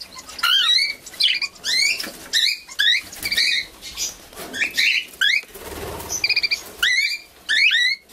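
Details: Young cockatiels in an aviary give quick, harmonic whistled chirps that sweep up and down, several per second in chattering bursts, with a few faint rustles in between.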